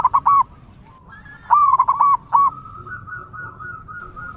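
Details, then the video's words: Local zebra dove singing in the wild: short clipped coos, then a rattling phrase of four or five quick notes, trailing into a long, level, softly wavering tone. "PERKUTUT LOKAL GACOR DI ALAM LIAR, DURASI PANJANG COCOK UNTUK MEMIKAT PERKUTUT LAIN"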